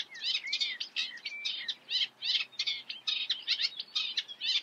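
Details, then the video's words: Eurasian reed warbler delivering a rhythmic, grating chatter: harsh churring notes mixed with short rising whistles, repeated in bursts of a few units with brief gaps, quiet background. "Teichrohrsänger (Acrocephalus scirpaceus), Eurasian reed warbler"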